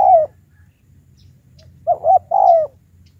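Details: Spotted dove used as a high-pitched lure bird to challenge wild doves. A soft slurred coo opens, then after a pause comes a quick double note and a long, smoothly falling cooing note, over a faint low hum.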